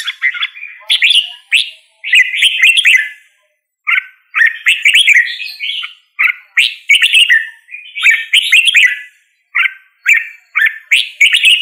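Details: Red-whiskered bulbul sings a long string of short, cheerful, bubbling phrases, each a quick tumble of slurred whistles, separated by short silences, in a quiet setting.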